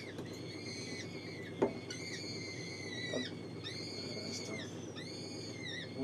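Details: Captive gyrfalcon hybrid in a falcon breeding setting uttering long, level, harmonic wailing calls in bursts of about a second, separated by short pauses, with background hum and a couple of clicks.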